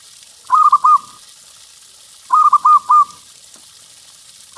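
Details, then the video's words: Zebra dove, local type, singing; the song serves as a lure for other doves. Two soft four-note cooing phrases about two seconds apart, with the start of a third cut off at the end. "Perkutut LOKAL GACOR Suara Paling Ampuh Untuk Pancingan Burung Perkutut"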